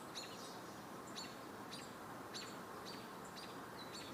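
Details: American robins still calling on 26 July 2022 while a hawk is nearby; sharp high chips repeat about every half second against a steady hiss of background noise.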